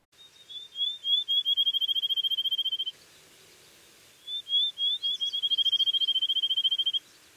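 Field Sparrow sings twice: a few clear, slurred whistles that quicken into a fast, even trill of high notes, like a bouncing ball settling.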